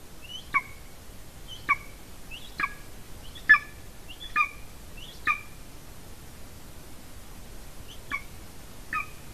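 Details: At a nest in Latvia on 30 January 2019, a female golden eagle near the nest camera gives eight short, piercing, slightly downslurred yelps. They come in an irregular series, then pause before two final notes, over quiet hiss.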